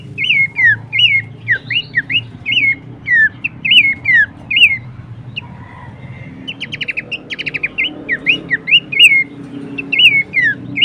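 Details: Horsfield's babbler on a training and lure track: long run of curved whistled notes, a pause, a rapid rattling burst of short notes, then renewed rising and falling whistles.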